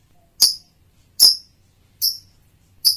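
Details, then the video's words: Chirping of a male lovebird: sharp, piercing high notes with a clicky attack, evenly spaced about every 0.8 seconds, four in a row over a quiet low hum. "kicau lovebird jantan"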